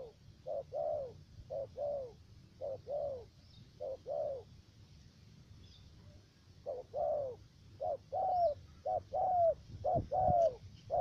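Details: Low spotted dove cooing, short note then drawn-out falling note, repeated steadily with a brief pause midway. The bird is a trapping decoy with a three-note voice in the U Minh area of Khánh Hòa commune, Cà Mau, Vietnam.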